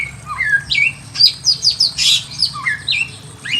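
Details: A Red-billed leiothrix (Pekin robin) in a simple aviary sings quick, clear whistled notes that swoop up and down, with short bright chirps in between, several phrases within a few seconds.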